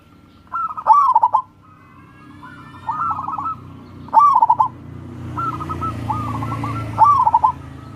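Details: Local wild-type zebra dove song, used as a lure to get lazy doves to sing: mellow cooing phrases of quick stuttered notes repeated every one to three seconds, with fainter phrases from a second dove and low background hum.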